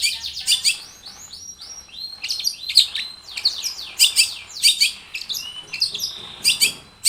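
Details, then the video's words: Varied, energetic song of a long-tailed shrike for prompting other shrikes to sing: dense sweeping whistles, rapid downslurred notes and sharp chips packed tightly with few pauses. "SUARA cendet Gacor full varian"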